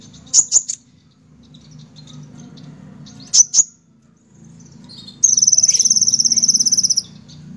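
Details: Olive-backed sunbird (kolibri ninja) singing: short groups of two or three sharp, high notes, spaced apart, then a fast, buzzing trill of very high pulses lasting about two seconds over a low hum.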